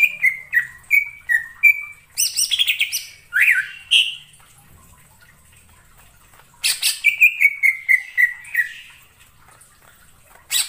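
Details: Cucak ijo song used as a trapping lure: short repeated whistled notes at a steady pitch, then a harsh chattering burst and swooping whistles, a pause, and another descending series of notes.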